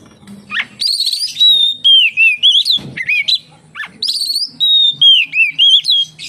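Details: Lively song of an Oriental magpie-robin, played to draw other magpie-robins into singing; sharp downward chirps introduce sustained sweet whistles that bend into wavering, rising-and-falling phrases, repeated in quick bursts.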